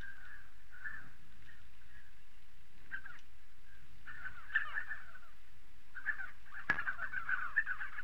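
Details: Spotted sandgrouse in southern Morocco, a run of throaty, buzzy calls bunched in short bursts, several birds overlapping, with a sharp click near the end over a faint low rumble.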